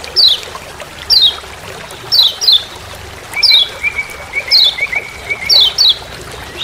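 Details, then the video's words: Lombok yellow white-eye, known locally as lemon-bellied white-eye, calling "ciak ciak" in forest: bright downward-sweeping chips about once a second, some paired, over a low sustained whistle and soft water-like hiss. "Masteran Kecial Kuning Ciak Ciak Di HUTAN"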